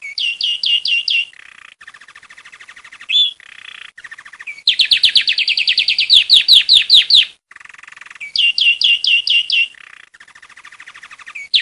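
Saffron finch singing bright, high chirps in quick bursts, with rapid buzzy trills between phrases and a fast rattling run in the middle.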